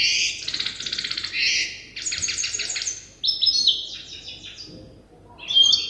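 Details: Practice song from a young European goldfinch hybrid that learns from an older hybrid: bursts of dense, rattling, high-pitched phrases separated by short pauses, ending with a clear whistled note.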